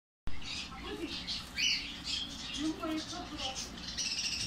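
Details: A lovebird chick being hand-fed gives harsh, buzzy chirps in quick, uneven bursts, roughly one every second or so, over a low indoor hum with faint voices.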